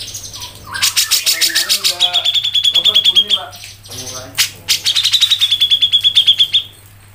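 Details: Cucak jenggot (grey-cheeked bulbul) in full 'mbeset ngepik' song: two long runs of fast, regular sharp notes, each trailing into a sustained high whistle, with short rough chatter between, above a low hum.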